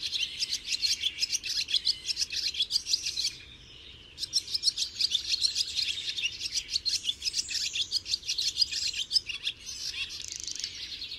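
Barn swallow twittering in a fast, high stream of chirps and warbles. A brief pause near the middle, then the chatter resumes just as busily.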